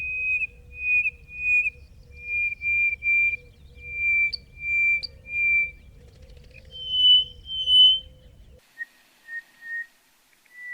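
Greater Hoopoe-lark giving a series of clear piping whistles, about one per second, that step up in pitch before falling lower, over a low wind rumble.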